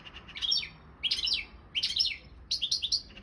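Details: European goldfinch of the Balkan subspecies Carduelis carduelis balcanica, entered in an online world championship of goldfinch song run from Serbia; four bursts of bright, tinkling twitters and buzzy trills, each under a second, arriving roughly every 0.7 seconds.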